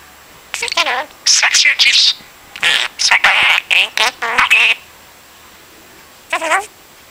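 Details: Captive budgerigar repeating itself like a broken record or radio, giving a rapid run of short, buzzy and warbled syllables in two bursts, then one lone wavering call after a pause.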